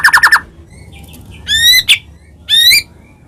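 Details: White-rumped shama singing hard, played to stir other shamas into song and agitation. A quick burst of four rapid notes, then two drawn-out clear whistles with rich overtones, separated by short gaps.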